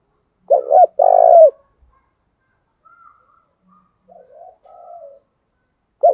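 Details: Spotted dove decoy cooing to stir wild birds into answering: one loud phrase of two brisk notes and a sustained burry coo, then quieter low murmuring notes before another phrase begins.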